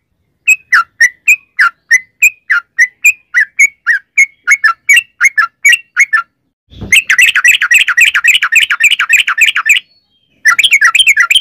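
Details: Sooty-headed bulbul in fast 'ropel' song, played as a lure to make other bulbuls sing: a run of quick, evenly spaced chirped notes, then a dense three-second rapid rolling chatter, a short pause, and more rolling notes.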